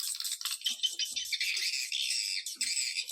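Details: Swiftlets' lure call, Dara Nante type, used to attract the birds: short bursts of sharp, high chattering trills broken by tiny pauses.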